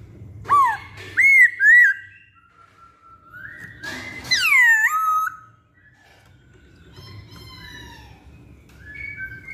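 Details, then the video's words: Pancingan lure song of the masked laughingthrush (poksay Hongkong): three quick arched whistles, a long level tone, then a loud falling whistle, with fainter whistling carrying on in the background afterwards. "Pancingan Poksay Hongkong"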